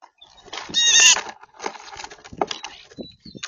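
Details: Two wild blue jays, brothers, scolding starlings to tell them off: a loud harsh rasping burst, then several shorter grating calls with brief gaps between them.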